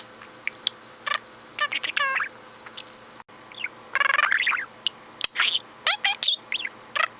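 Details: Indoor pet budgie chattering in scattered, quick chirps and sweeping squeaks, with a longer buzzy warble in the middle and a sharp click partway through.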